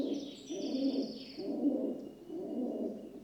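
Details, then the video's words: Muffled, low cooing from a rock dove, three broad murmuring phrases in slow succession, with faint high chirps behind. "Rock Dove (Columba livia) Sound Effect"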